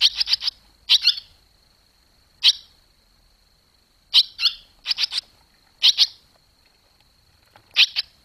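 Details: Short bursts of high twittering from barn swallows as the young leave the nest on 21 July 2023, tight clusters of sharp chirps separated by gaps of one to two seconds, with a thin constant background tone.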